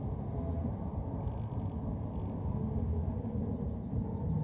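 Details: Yellowhammer (Emberiza citrinella) starting its song after a stretch of low rumble: a fast string of short, high, evenly repeated notes that runs to the end without a closing note.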